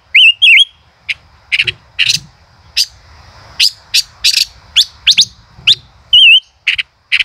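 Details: Male common rosefinch, song in the 'chế cựa hai' manner: opens with two warbling whistles, then a busy string of dry clicks and rasping bursts, with a single wavering whistle near the end.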